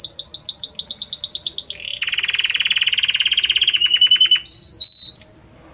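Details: Belgian canary in full song, harmonious and varied: a fast high rolling trill, then a lower rapid rattling trill, a short steady whistle, and a final upward flick, each phase flowing into the next.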